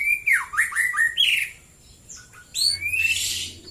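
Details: White-rumped shama song in the morning, a rich phrase of swooping whistled notes dipping and rising, a pause, then a rising whistle ending in a harsh noisy burst.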